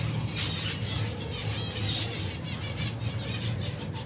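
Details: Finch colony of over 120 pairs, adults and babies eating together: a busy chorus of rapid, thin chirps and trills overlapping continuously, with a constant low droning hum underneath.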